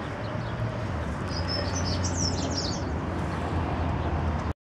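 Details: Dunnock singing in the garden of Notre-Dame de Paris cathedral: one quick, high-pitched jumbled warble lasting about a second and a half, set against a constant low rumble of city traffic.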